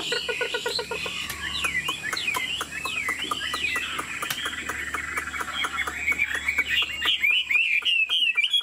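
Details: Chinese Hwamei kept as a cage bird, 90% pure and performing wing displays: repeated looping whistled notes, rising then falling, with a steady run of sharp clicks and taps behind them.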